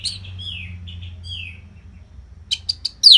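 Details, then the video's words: Orange-headed thrush from Singaraja, Bali, in tutor song for contest birds: soft descending slurred whistles, a short silence, then a few sharp high notes and a loud rising-falling whistle. "COBA SUARA MASTERAN ANIS MERAH GACOR RAPET NO JEDA INI UNTUK MELATIH FIGTHER BURUNG AGAR SELALU FIT."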